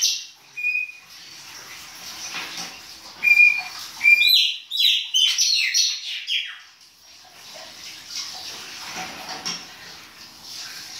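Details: Chopi blackbird in baianinho-style winter song: a few thin whistles, then a lively cluster of quick high chirps and slurred whistles, fading back into soft hiss.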